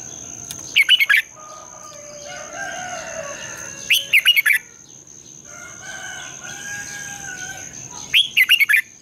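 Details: Competitive morning song of a red-whiskered bulbul used as a lure bird, a long twisted double voice. Three quick bursts of loud warbling notes about three to four seconds apart, softer background whistles between, a constant faint high tone.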